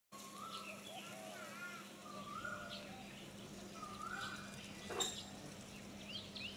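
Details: White-shouldered starling in Hong Kong, April 2017, gives soft, wavering whistles and squeaky chattering phrases over a steady low hum, with a sharp click near the end.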